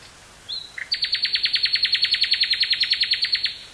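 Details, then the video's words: Common nightingale song from woods near Burgh-Haamstede, Netherlands, recorded 18 May 1983 on cassette; a rising whistle introduces a long, even series of over twenty rapid, strong repeated notes. "Nightingale singing near Burgh-Haamstede, NL"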